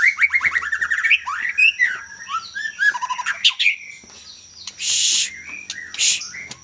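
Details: Young Medan white-rumped shama singing a quick descending trill of notes, then varied whistles and twitters, interrupted by two loud harsh hissing bursts.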